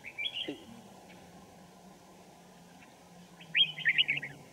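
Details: Red-whiskered Bulbul song during trapping with a decoy bird in Kim Bôi, Hòa Bình, Vietnam, winter morning, 3 January 2018; a short chirpy phrase, a pause with a faint low voice, then a loud rapid warbling phrase.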